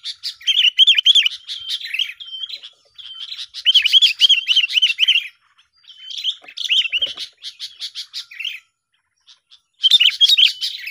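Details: Sooty-headed bulbuls duelling, their song used to lure birds for trapping: bursts of rapid, bubbling chirps and warbled phrases lasting one to two seconds, separated by short silences.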